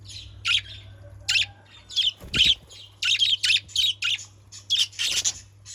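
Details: Budgerigars in a cage chatter in quick, harsh, high chirps, about a dozen notes coming faster toward the end, with a low thud near the middle and a steady background hum.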